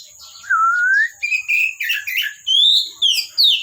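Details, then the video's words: Oriental magpie-robin from a bird collection singing actively: a slow rising whistle, then short varied notes stepping upward and ending in bright downward-swept whistles, with a steady high hum. "KACER GACOR"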